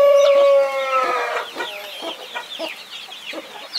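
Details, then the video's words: Hen protecting a brood of 21 chicks gives one long, nasal, harmonic squawk that fades out. Soft clucks and shrill chick cheeps follow. "Mother hen protecting her 21 Baby chicks"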